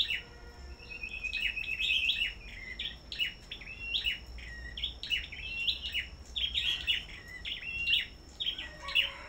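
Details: Duel singing by black-throated bushtits kept at a bird farm, a dense run of high twittering notes and brief whistled slides that barely pause, over a constant thin electronic-sounding whine.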